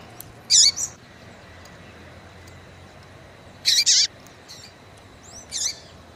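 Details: Female coleiro baiano, or Yellow-bellied seedeater, calling to excite males. She gives high, sharp notes with short downslurred tails: a single note, then a quick double burst, then another single note, against a quiet hissing background.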